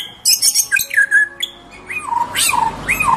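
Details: Tame white-rumped shama giving loud, varied phrases: high scratchy chips, then clear whistled notes sliding downward, repeated several times in quick succession with a rich, fluty tone.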